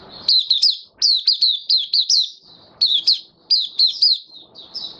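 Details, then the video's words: 'Buka sing' song of a caged white-eye dewormed and given health supplements, 18 May 2022: clear bursts of three to five sharp, slurred high notes separated by short silences. "Mata Puteh Kitaro buka sing"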